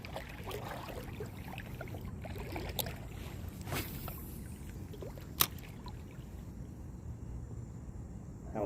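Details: Low water sloshing and boat noise with a few brief knocks and some faint speech, and no animal calls.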